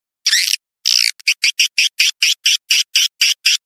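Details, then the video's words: Lure call for attracting swiftlets: two longer rasping chirps with a pause between, then a steady string of short, bright, clipped notes about two per second on a silent background. "suara panggil walet terbaru 2023/RIVISI 2 suara panggil walet."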